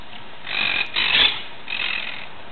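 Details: Monk Parakeet (Myiopsitta monachus), recorded 17 July 2008, gives three harsh, grating screeches, each about half a second long, in quick succession with no other clear sounds.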